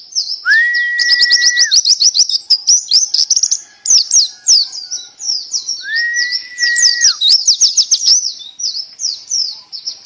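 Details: Nearly unbroken high canary-type song: a steady whistle beneath fast rolling trills and chirp volleys, the long whistle returning midway, rapid notes continuing throughout.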